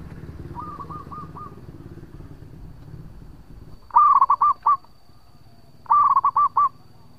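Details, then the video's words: Zebra dove, local type, singing as a lure; a faint distant cooing phrase over low engine-like rumble, then two loud close phrases of a quick trill and soft rounded coos. "Perkutut Lokal Gacor Suara Panjang buat Pancingan"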